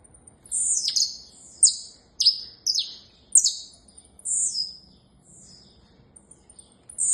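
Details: Saffron finch delivering a string of bright, downward-slurred chirps about every half second, interspersed with thin, sustained high notes, then a pause before a final chirp.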